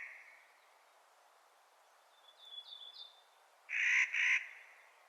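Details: Clark's nutcracker in spring giving two loud raspy, grating squawks close together near the end, after a quiet stretch with faint thin whistled notes from another bird.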